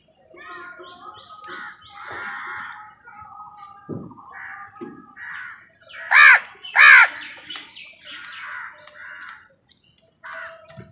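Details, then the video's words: Crows in a fight with other birds over food give harsh, ragged caws throughout, with two very loud, sharp caws near the middle and quieter calls before and after. "crow bird live crowing sounds| Crow Soud কাকের ডাক | Crows fight with birds Crow Sound"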